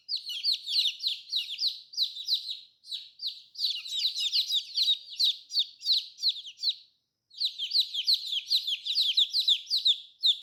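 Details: A group of colourful baby chicks keeps up a dense chorus of high descending peeps, about three a second, with a short silent gap before resuming.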